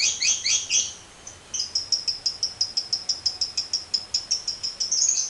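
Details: Lovebird making harsh chattering squawks, then after a brief pause a quick series of evenly repeated high chips that build into a fast chatter, in the 'ngekek' trilling style.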